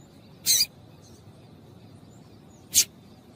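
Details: Female double-collared seedeater calling, a call used to stimulate males to sing: two short, high, sharp chip notes about two seconds apart over a quiet background.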